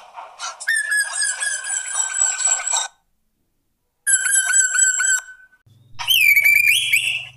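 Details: Black drongo, male, constantly singing as a lure for other birds: long nasal harmonic notes, a shorter repeat after silence, then a rising whistled phrase over a low steady hum.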